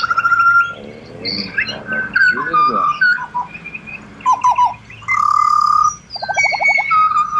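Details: Pied butcherbird song from Australia: pure flute-like whistles, long steady tones near the middle register, a rapid stuttering run of repeated notes near the end, and scattered high chirps between phrases.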